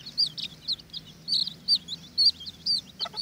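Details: Watermaalse bantam chicks fighting over an earthworm: high, piercing peeps repeated about twice a second in an uneven rhythm, with a short rustle near the end.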